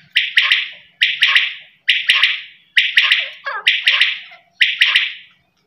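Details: Quail giving a steady series of rasping, doubled bursts, repeated roughly once a second. Faint clicks accompany each burst, and there is little else in the background.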